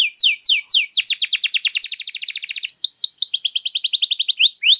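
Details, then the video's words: Canary in long, rich song used as a tutor or to stir other birds to sing: repeated downslurred whistled notes, then fast rolling trills of rapid sweeps and bright rising phrases, clean and high-pitched. "Kenari Gacor Panjang Lagu Mewah, ampuh buat pancingan atau masteran"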